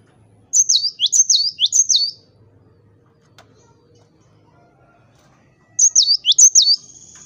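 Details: Energetic cinereous tit song, meant as a lure to make rival birds sing back: three rapid high whistled phrases of sharp up-and-down notes, a long quiet gap, then another similar burst near the end.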